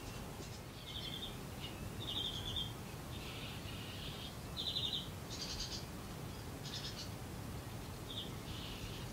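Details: Common snipe (Gallinago g. gallinago) in April 2017 at Uitkerkse Polder, Belgium, giving short, harsh rasping notes at irregular intervals of one to two seconds over a steady low rumble of wind.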